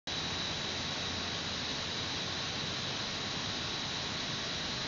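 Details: Steady broadband hiss with a thin constant electronic whine runs throughout, and no animal sound is heard.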